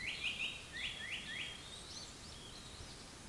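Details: Japanese paradise flycatcher song: a run of six quick, downslurred whistled notes in two groups of three, followed by softer twittering phrases, over steady background noise.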